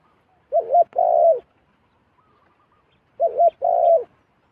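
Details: Zebra dove, a wild bird coming down to a decoy: two clear bursts of mid-pitched, trilled cooing, each a short wavering note then a longer rolling one, repeated after about two and a half seconds of silence.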